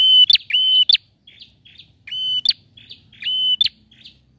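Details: Male bar-winged prinia singing vigorously: repeated flat, whistled notes, each ending in a sharp upward flick, interspersed with softer buzzy chips. Phrases come in pairs, separated by short pauses.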